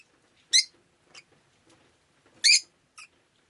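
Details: A rosy-faced lovebird kept as a pet, recorded on a rainy day, lets out two loud, rasping high chirps about two seconds apart, each trailed by a softer short squeak.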